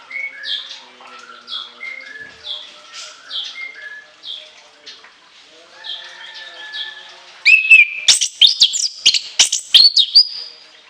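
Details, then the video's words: Orange-headed thrush, anis kembang, opening with softer repeated whistled phrases at an even pace, then breaking into loud piercing shrill notes and fast slurred whistles near the end. "TEMBAKAN LENGKINGAN ANIS KEMBANG ISIAN PANJANG SEGUDANG"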